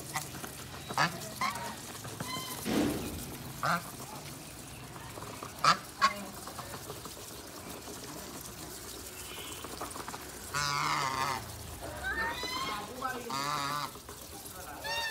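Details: Domestic geese being fed grass or grain give nasal honks and short gabbling calls, loudest in a run near the end, over clattering and rustling from feeding.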